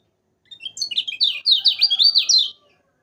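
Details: Yellow-vented bulbul song, meant for prompting reluctant birds to sing: a lively two-second burst of rapid, rising-and-falling warbled notes, dense and chattering, with nothing else audible.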